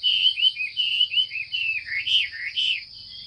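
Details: Female Chinese hwamei giving a rapid run of short wavering whistled notes, rising and falling about twice a second, calling to spur male hwameis into varied song, over a faint low hum.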